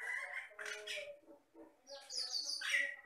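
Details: Batam myna, able to imitate any sound including people, singing in short bursts: raspy chattering notes, a pause, then a high scratchy run ending in a harsh squeal.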